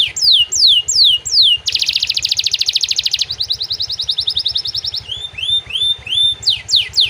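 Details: Canary singing a rich song with imitated prenjak and ciblek phrases: sharp downslurred whistles repeated, then a fast buzzy trill, then a quicker series of rising notes, ending in upswept whistles; faint low rhythmic pulsing underneath.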